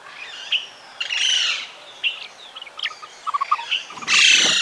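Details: Bronzy Hermit, a tropical hummingbird: thin high chirps and short slurred notes at scattered moments, mixed with several loud rushing, buzzy bursts over a steady hiss.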